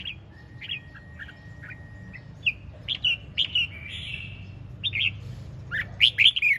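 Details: Red-whiskered bulbul singing in the ché chẻ song style: short, bright whistled notes and slurred phrases, some sharp and rising, spaced irregularly over a steady low background hum.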